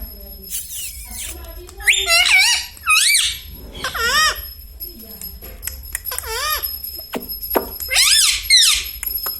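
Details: Pet parrot talking indoors, reportedly saying mummy, papa and radhe radhe. A series of about eight high, nasal, bouncing syllables in uneven groups over ten seconds, with clicks and a faint steady whine.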